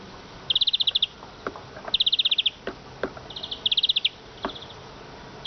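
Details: Eurasian siskin giving quick high stuttered trills, each a row of evenly spaced buzzy pulses lasting about half a second, repeated in bursts with soft ticking sounds between them.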